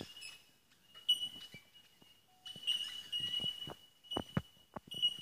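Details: Wild bell miners near Brisbane, Australia, in D'Aguilar National Park: an unbroken high ringing note with sharper tinks rising out of it, over scattered footsteps and clicks.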